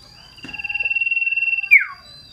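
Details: Scarlet-headed flowerpecker (cito sirdum) in full song, loud and shrill; one long even buzzing trill, held level, then snapping into a quick downward slur.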